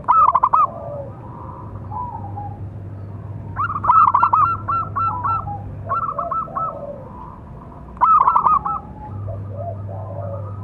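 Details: Local zebra dove with a big voice, used as a training and provoking call for other doves; short bursts of quick stuttering coos, about every four seconds, with fainter cooing and a low hum between.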